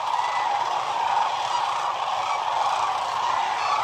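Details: Huge flock of sandhill cranes on the Platte River at the peak of northern migration; loud overlapping rattling calls form a thick, steady roar, with occasional clearer trumpeting notes poking through.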